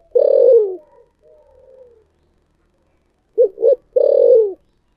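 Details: Thổ sấm-style spotted dove: a long falling coo, a soft trailing murmur, then after a pause two short hoots and another long downward coo.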